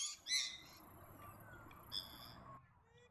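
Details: Australasian swamphen calls: a sharp, harsh, nasal screech at the start and a second shorter screech about a second and a half later, with faint low background hum between them.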